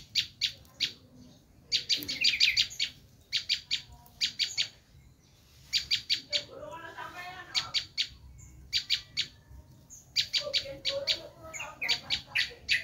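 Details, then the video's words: Bar-winged prinia screaming call meant for luring wild prinias: clustered bursts of harsh, scratchy high notes in rapid groups, interrupted midway by a softer buzzy chatter and a low murmur. "Suara asli prenjak lumut menjerit"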